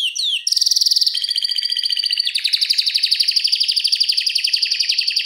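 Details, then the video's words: Canary giving a long rolling song meant to train other canaries: a brief downward slur, then high rapid trills that merge into a steady, fast rolling trill. "Kenari Masteran Suara Gacor Ngeroll Panjang Untuk Pancingan Maupun Masteran"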